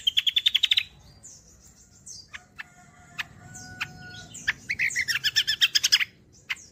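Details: Song of the kecial kombo, used to draw out and teach other birds: a fast trill at the start, then a pause with a few thin tones, and a long burst of rapid, buzzy, high chattering notes.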